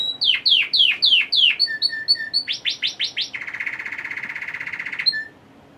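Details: A male Red Factor canary, orange from a lack of red factor food, sings early in the morning: a bright, varied phrase of rapid downslurred notes, short paired chirps, then a long buzzy trill and a final clear note.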